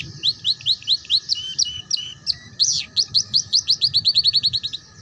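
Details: Canary song for tutoring young birds in ngeriwik: repeated bright chirps, a brief harsh burst, then an accelerating string of short whistled notes forming a quick trill, over a faint steady hum.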